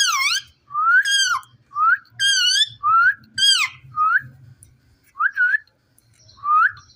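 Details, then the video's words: Indian ringneck parrot kept in a cage, talking in clear, whistle-like rising and falling syllables, roughly one phrase per second, some loud and nasal, with faint low rustling. "Gergeous parrot in one cage in amazing talking"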